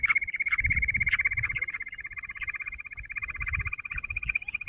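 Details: Jungle bush quail calling in a bater trap setting, recorded on 16 June: a steady high trilling run of rapid repeated notes, about 162 per minute, continuing throughout with low rumbling handling or background noise underneath.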